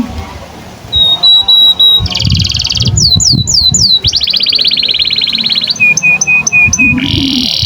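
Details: Canary song used as master song for training young canaries and silent birds: short steady whistles, then a buzzy block, rapid rising sweeps, a long fast trill and repeated notes, with low background noise.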